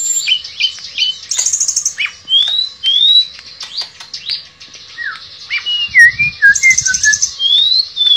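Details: Tledekan pring shortwing singing actively in 'nembak' and 'ngerol' style, a quick string of clear slurred whistles, some rising and some dropping, broken by brief buzzy high bursts and a soft low rumble near the end.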